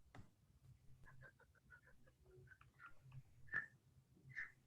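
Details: Green heron heard in a short clip: a quick run of soft, clucking notes, then two louder, harsh squawks near the end, described as a small squawking sound, over a low steady room hum.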